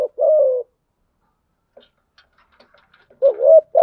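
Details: Spotted dove lure cooing to stir others into calling: a long falling hoot, a quiet gap with faint clicks, then a new rising wavering coo begins.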